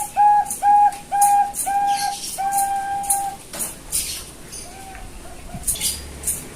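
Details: Bangkok zebra dove chicks bred in captivity in Kebumen, Central Java, Indonesia, raised for a thick, big voice. Five clear, evenly spaced mellow coos in under four seconds, then fainter scattered notes and soft rustling noise.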